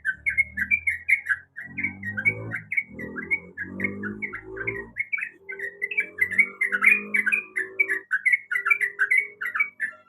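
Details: Female sooty-headed bulbul in breeding condition calling to a male, kept as a lure recording for caged birds: a rapid, steady string of short chirping, bubbly notes with a low rumbling background murmur in the middle and end.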